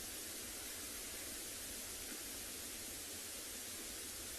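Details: Steady, even hiss like wind or rushing water fills the whole recording, with no animal call.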